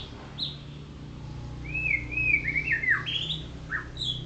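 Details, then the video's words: White-rumped shama (golden shama) singing while sunned in the morning: clear, sliding whistled phrases with upward and downward sweeps, some rising sharply at the end. A steady low hum runs underneath. "Murai Batu Golden Shama | Kicau merdu saat dijemur"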